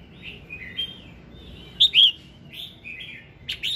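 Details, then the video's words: Red-whiskered bulbul morning song for prompting other birds: soft wavering whistles, then two loud bright warbled notes near the middle, followed by more slurred phrases and a sharp final burst. "Tiếng Kích Giọng Chào Mào Hót Sáng"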